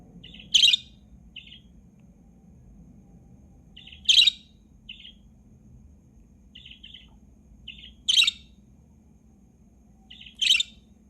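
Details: Budgerigar gives sharp, high chirps every few seconds, each with a few softer short notes nearby.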